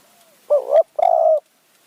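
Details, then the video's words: Spotted dove used as a decoy to lure wild doves in high mountain forest near Kanchanaburi, Thailand, in the คูอ่าง หนุนอ่าง calling style: two deep, hollow coos, a short one followed by a longer, steady one. "ต่อนกเขาใหญ่ป่าสูง เมืองกาญ | คูอ่าง หนุนอ่าง คารมเรียกคําคูคํา"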